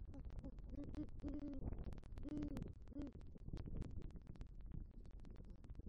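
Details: Great horned owl hooting at an eagle nest tree in Southwest Florida at night, 3 November 2023, where a pair visits and the male brings rodent prey and calls for the female; a run of low, mellow hoots with steady background hiss.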